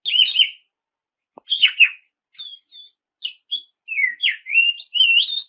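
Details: Oriental magpie-robin song used to goad rival birds into answering: sweet whistled notes with rising and falling slurs, separated by short silences, ending in a run of quick varied phrases.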